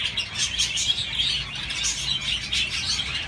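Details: Short burst of budgie chatter: rapid high chirps and warbled twitters, several birds calling at once without a break.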